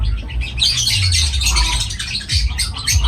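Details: Lovebirds twitter in a steady, high, buzzy stream of chirps that barely pauses, with a faint low rumble below.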